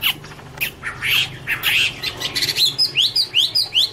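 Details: Chinese hwamei singing in autumn: a jumble of harsh clicks and short squawky notes, then a run of bright rising whistled slurs repeated about twice per second toward the end.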